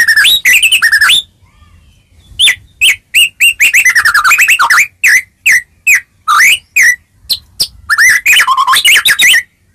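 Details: White-rumped shama delivering melodious song to provoke answers from other shamas: long sequences of whistled upslurs and warbling notes, sharp chips interleaved, a short silence after the opening phrase.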